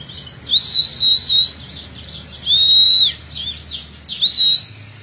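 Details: Oriental white-eye training song meant to bring young birds into full singing: high thin whistled phrases near the top of the range, three bursts each about half a second long, mixed with busy twittering, over a faint low hum.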